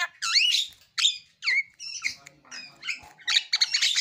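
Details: Javan myna (Acridotheres javanicus) in full song, rich in imitated phrases, running through varied, squeaky whistles and harsh chattering notes in quick succession.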